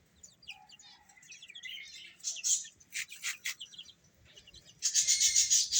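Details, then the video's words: Feeding chicks with scattered thin peeps at first, then sharp clustered chirps, ending in a loud, dense burst of high calls. "Beautiful Chicks Chirping Sounds | Baby Hen Eating"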